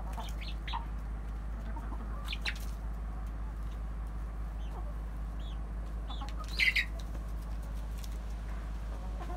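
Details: Rooster, hens and well-grown chicks kept in a backyard coop: soft intermittent clucks and a few high, downward-curving chick peeps, with one louder burst of squawking near the end over constant low background noise.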